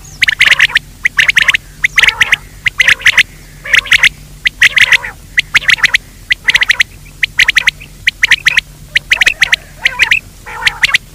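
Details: Quail calling for daytime luring: regular clusters of harsh, crackling clicky squawks, each burst lasting about half a second, repeated steadily throughout.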